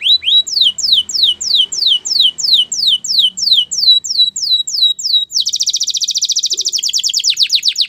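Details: Canary training song: clear whistles dropping in pitch repeat about three times a second, then switch abruptly to a very fast, dense, high-pitched trill.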